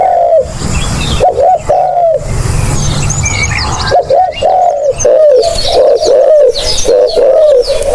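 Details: Spotted dove coos meant for use as a lure: a few separate low phrases, then a rapid run of short repeated coos, with soft chirping from other birds in the background.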